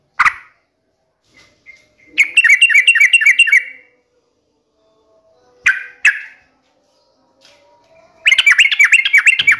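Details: A vigorously singing yellow-vented bulbul, offered as a lure to prompt other bulbuls to answer, gives bright, bubbly mid-high phrases of quick chattering notes in three separate bursts with short gaps, and no other sounds.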